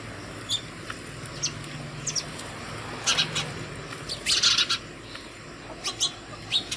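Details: House sparrow at a home feeder in the morning, calling others to food; sparse chirps build into a brief dense flurry midway, with soft fluttering and a low hum beneath.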